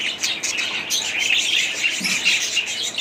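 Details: Short stretch of budgerigar chatter: busy high twittering with whistled notes and scratchy squeaks running continuously.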